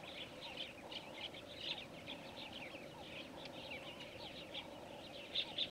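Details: Namaqua sandgrouse, a species that nests in sand dunes and flies up to 30 km for water; many overlapping chirps and twittering notes run continuously over a constant low droning background.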